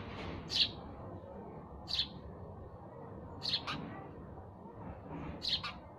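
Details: Four clear, high chirps from a sparrow, spaced one to two seconds apart, with a quiet, rumbling background between them.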